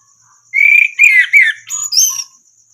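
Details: Orange-headed thrush song from a training recording for other caged birds. Five loud whistles follow in quick succession, the first few sliding downward, the last ones higher, over a faint steady insect trill.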